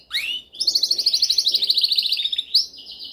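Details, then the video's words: Canary delivering a dominant song for training: a rising whistled sweep, then a long fast trill of rapidly repeated bright notes, about four per second, ending with an upward flourish and a softer trill. "Canção mais dominante de canary para treinagem."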